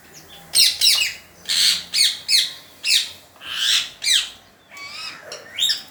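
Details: Parrot making funny noises: a rapid series of about ten harsh, loud squawks and screeches, each short and noisy, coming roughly every half second, ending with a few thinner, whistled notes.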